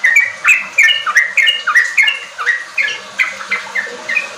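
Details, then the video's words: Sooty-headed bulbul pouring out a fluid song, offered as a lure for young kept birds housed in groups. Short, rising and falling whistled syllables repeat at a brisk, slightly irregular pace with small pauses. "Pancingan trucuk ampuh bikin trucukan bahan cepat riwik ropel gacor"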